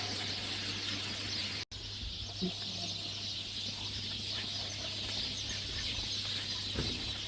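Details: Sparrows gathered hungry at a feeding yard, many birds chirping at once in a constant high twittering wash; a brief dropout early on, a soft low knock, and a faint hum underneath.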